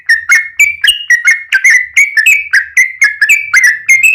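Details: Yellow-vented bulbul singing continuously as a lure for other birds, a steady chain of clear whistled chirps, each bending up or down, about four each second.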